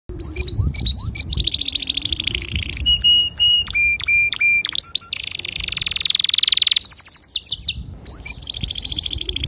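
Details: Male canary singing clearly to teach young canaries: rapid high trills, buzzy rolls and repeated whistled notes switching between tours, with brief pauses and faint low background rumble.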